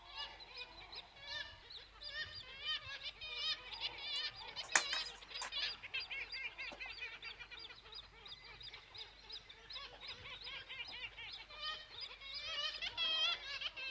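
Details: Black-legged Kittiwakes at Seaford Head Splash Point: many birds giving nasal, wailing "kitti-wake" calls at once, overlapping constantly at about one or two per second; the species is named after this call.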